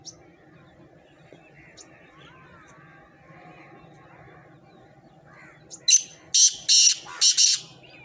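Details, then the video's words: Black francolin call: after faint background noise, a loud harsh phrase of four or five grating, broad-band notes given in quick succession near the end. "kala tatter awaz"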